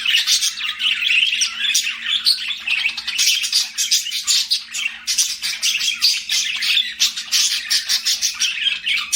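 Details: Budgerigars kept as pets chirp steadily, a long, even stream of scratchy twittering and short squawky notes pulsing several times a second, several birds together, with a quiet hum behind.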